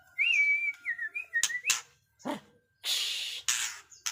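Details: White-rumped shama of the pastol type delivering dense, fierce song material: wavering whistled phrases followed by harsh, loud rasping bursts and scratchy noisy notes separated by short pauses.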